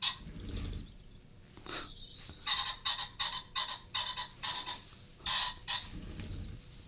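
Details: Common pheasant right outside an open studio window gives a run of about nine harsh, hoarse cackling notes in quick succession, with a man talking just before and after.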